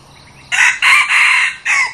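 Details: Newly acquired decoy red junglefowl, used to lure wild junglefowl, crowing: a loud, harsh crow in four bursts, a short opening note, two longer linked middle sections, then a clipped final note, over quiet background.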